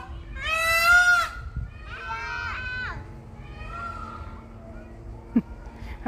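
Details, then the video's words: Peacocks screaming in response to children's noise: one loud harmonic wail, followed by two weaker, shorter calls and a faint distant one, then brief clicks and knocks. "Peacocks and kids are competing in making noise"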